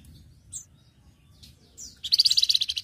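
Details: A flamboyan sings briskly for bird-training use: faint thin whistles, then a loud, rapid, pulsing high trill of about ten notes to the end.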